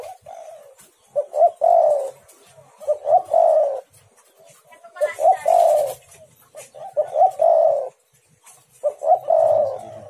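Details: Spotted dove calling to lure other doves into answering; five regular phrases of short coos ending in a long falling coo, with a hissy noise burst around the middle.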